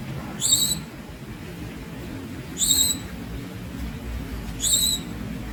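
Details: Young Javan Munia calling: three thin, high, squeaky notes, each about a quarter-second long with a bright ringing overtone, spaced about two seconds apart over a low steady background hum.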